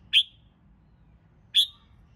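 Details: Red-whiskered bulbul, used to coax birds into competitive singing: two short, piercing high chirps about 1.4 seconds apart over a quiet, low hum.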